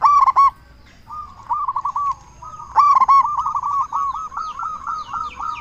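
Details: A local zebra dove with a big voice, singing to lure and stir other zebra doves into answering: a loud clipped burst, then a long run of quick, evenly repeated coo notes building in strength.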